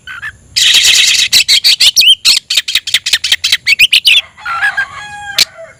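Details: Oriental magpie-robin belting out song, tail open, to raise emotion and summon a rival: dense rasping burst, then quick harsh notes with an upslurred whistle, ending in softer nasal tones and a sharp click.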